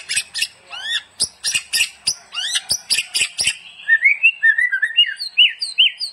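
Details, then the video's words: White-rumped shama song for training: a series of dry clicks and rising chips, then softer, looping whistled notes that rise and fall. "SUARA BURUNG MURAI BATU GACOR UNTUK MASTERAN"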